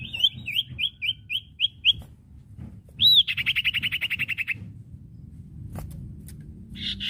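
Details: Common iora training song for caged birds: seven clear slurred whistles, then a loud upswept note leading into a fast rattling trill of repeated notes, with background hiss.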